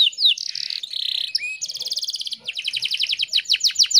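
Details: Breeding female canary luring a male. Quick slurred notes lead into buzzy rolling trills, then long runs of rapid, evenly spaced high chips ending in louder swooping down-slurs.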